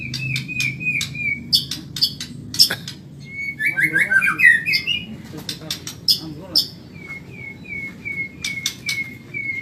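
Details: White-rumped shama from Medan in a caged-bird training recording: long level whistles, sharp ticks, a rapid warbled burst in the middle, then a string of short falling whistled notes repeated about three times a second.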